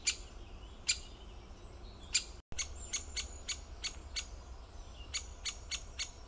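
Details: Scattered sharp, clicking calls from a great spotted woodpecker, a few spaced notes, then a short gap, followed by a looser series of crisp ticks.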